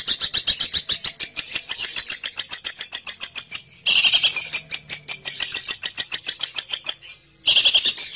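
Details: Long-tailed shrike trapping lure: quick, harsh chattering notes in runs broken by two short silences, with squeakier bursts after each pause.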